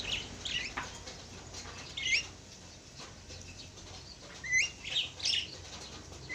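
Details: A pair of Javan mynas trading brief rising whistles and scratchy chirps, clustered at the start and in a lively run near the end, over faint background hum.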